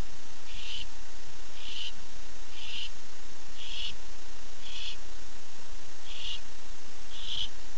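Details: Male barn owl calling for his mate at night, heard at 9:54 pm on 8 September 2015 on a nest camera; a series of short harsh hissing screeches repeated about once a second, seven in all, over steady low background hum.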